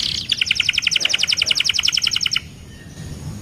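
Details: Canary sings a rapid, even trill of high chirps, roughly fifteen notes over two seconds, then stops, leaving faint background hiss.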